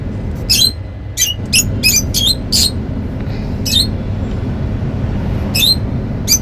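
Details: Happy lovebirds making sounds: a rapid series of shrill, high-pitched chirps and squeaks in irregular bursts, about a dozen notes, above a constant low hum of background noise.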